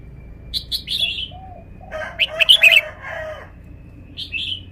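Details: Red-whiskered bulbul kept as a cage bird, showing its song phrasing: a few clear, rising chirps, then a loud, rich, rolling warble of bright notes, and a final upswept phrase over a faint constant whine.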